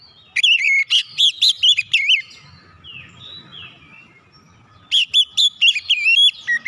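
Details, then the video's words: Oriental magpie-robin song meant to provoke reluctant magpie-robins into singing: two bursts of loud, rich whistled notes with sliding, dipping tones, about seven notes each, separated by a quiet pause with faint low rumble. "PANCINGAN KACER CEPAT EMOSI 100% KACER MACET MALAS BUNYI CEPAT GACOR"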